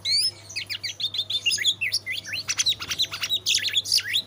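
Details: Eight-month-old captive white-rumped shama delivering a varied, fast song of high whistled slurs and twisting notes, mixing rising and falling sweeps with harsher bursts near the end; a faint constant electrical hum sits underneath.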